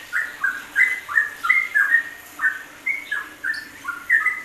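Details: Rapid ropelan song of a yellow-vented bulbul, a tutor track for songbirds: paired bubbling whistles, one high and one lower, repeated in quick succession with little pause.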